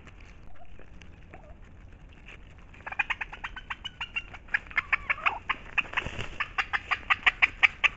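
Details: Turkeys calling as food is brought to them in brush near a marsh, about 300 feet behind a house. Quiet at first, then a long run of sharp, evenly spaced calls, speeding up and growing louder.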